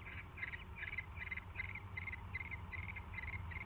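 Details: Barn owl at its nest during a mouse delivery, evening of 27 January 2016; a quick series of breathy, rasping hiss bursts, roughly two and a half per second, above low background rumble.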